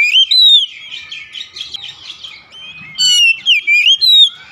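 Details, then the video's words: Oriental magpie-robin song meant to make a domestic bird sing: an opening clear whistle, then a stretch of buzzy, scratchy chatter, followed by crisp slurred whistles in quick succession. "terapi kicauan Kacer | memancing Kacer rumahan susah bunyi langsung gacor"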